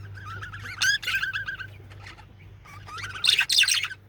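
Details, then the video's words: Male budgie warbling in quick, chattering phrases of raspy and whistled chirps, loudest near the start and end, with quieter murmuring between. "Male Budgie/Parakeet Chirping And Singing"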